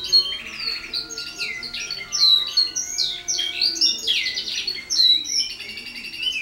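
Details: Early-training canary with many silvestres, wild bird notes joined into compuestas, also a little rolled tour; fast loud run of swooping whistles, buzzy trilled bursts and chirps, nearly unbroken, faint hum underneath.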